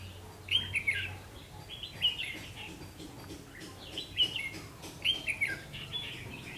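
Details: Red-whiskered bulbul (ché) used as a lure bird at a double spring trap, 3 September 2016, 5 pm: loud clear whistled phrases with rising and falling slurs, roughly every second, over quiet background noise.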